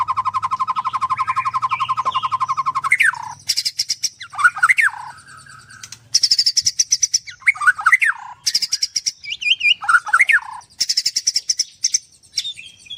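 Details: White-rumped shama at a bird farm in Kendal, Indonesia; song opens with a long rapid rattle, then harsh buzzy bursts alternate with sweeping whistled notes, varied and loud throughout.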